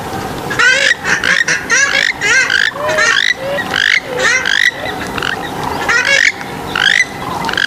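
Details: Several swamphens calling over one another in a busy chorus of nasal, wavering, downward-bending squawks, almost continuous throughout.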